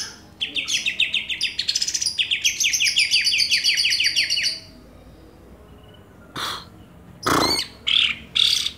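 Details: Greater green leafbird, one of a Banyuwangi and a Kalimantan bird compared for song repertoire, delivering a long run of fast repeated chirps for four seconds, followed by a few scattered loud rasping notes.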